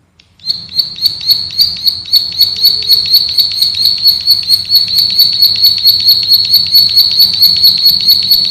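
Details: Bar-winged prinia, a male prenjak sawah, in a training recording of 'ngebren' song with dense rapid shots: a continuous high, rattling trill of fast chirps lasting about eight seconds without a break.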